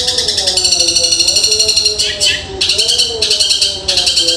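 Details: Dense, fast Long-tailed Shrike song in the sparrow-imitating 'tembakan gereja' style: rapid pulsing high notes in bursts of about a second, with gliding music tones in the background.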